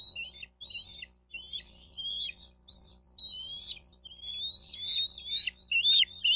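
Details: Bald eagle calling at its nest, Miami-Dade County, Florida, nest camera, June 4, 2023, 12:35; loud, continuous string of high, thin whistled chirps and piping notes, rising and falling, barely pausing.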